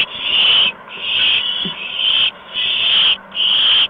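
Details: Owlets at a nest in the evening of March 13, 2015, around 8 PM, as adults deliver mice and a gopher. Harsh, hissing screeches, each lasting about half a second, repeat roughly once a second with short gaps.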